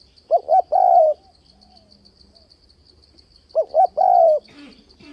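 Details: Spotted dove calling to bring wild doves to a fighting trap: two phrases of two short hoots and a long sliding coo, about three seconds apart, a high insect trill throughout and a brief rustle at the end.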